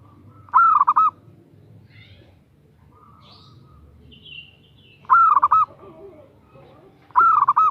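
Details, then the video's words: A female zebra dove calls a male in three short, bright bursts of rolling, stuttered coos. Faint chirps from other small birds come in the pauses between them. "Perkutut Betina Memanggil Jantan"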